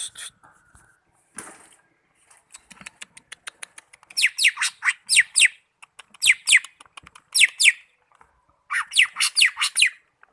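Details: Greater green leafbird from Malinau; faint ticking and a rustle first, then loud bursts of rapid descending whistles repeated in groups.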